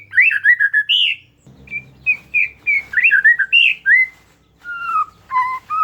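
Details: Caged oriental magpie-robin song meant as a lure for a mute bird, with sharp chattering and rich varied phrases: fast whistled and slurred notes, a brief low hum midway, then lower falling whistles.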